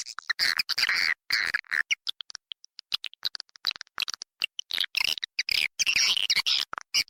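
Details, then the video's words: Edible-nest (Indonesian) swiftlet lure call: rapid, dry chittering and buzzy twitters, high-pitched bursts tumbling over one another in quick, irregular succession, with music. "suara pangil burung walet"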